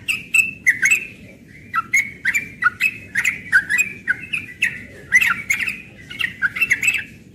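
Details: Morning ropel song of a young yellow-vented bulbul, a fast run of warbled, bubbling phrases with quick downward slurs and crisp click notes, delivered almost without pause against faint low rumble.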